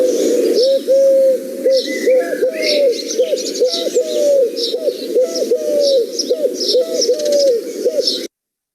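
Collared Dove giving soft, low, hollow coos in quick overlapping runs, with thin high chirps of small birds behind.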